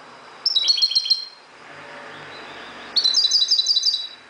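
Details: Moroccan goldfinch singing at daybreak: two bursts of quick, high, tinkling trills, each about a second long, separated by a quiet gap with faint low background hum.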